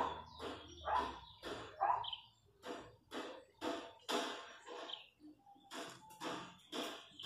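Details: Wild chachalacas in rural countryside producing a long run of raucous, scratchy bursts about once a second, rising and falling in strength, with a faint low hum beneath.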